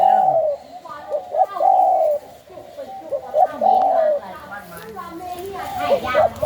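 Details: Captive young spotted doves offered for sale in Thailand, singing in the sai khu ang song style. Mellow, mid-pitched cooing phrases come in bursts, with pauses between them. A man talks through the pauses.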